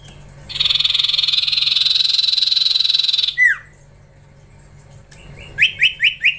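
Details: A juvenile common iora in training delivers a buzzy, rapid, even trill lasting almost three seconds, a falling slur, then four short upslurred notes in a quick series.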